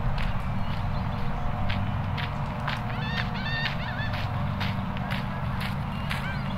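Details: On a sunny Friday at Hermann Park, Houston, Texas, USA, a pair of laughing gulls calls to each other with a short burst of nasal, laughing notes, several quick arched yelps in a row, over a steady low rumble of wind or engine noise.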